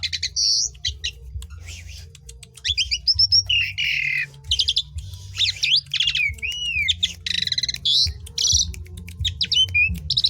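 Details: Asian pied starling song used to get other birds singing: a dense, varied stream of harsh buzzes, rapid chips, upslurred and looping whistles and rattles, with a low background hum.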